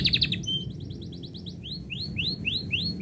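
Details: Canary singing when its owner is about to go out: a short burst of rapid notes, a thin twittering passage, then a string of rising slurred whistles repeated roughly twice a second over low background hum.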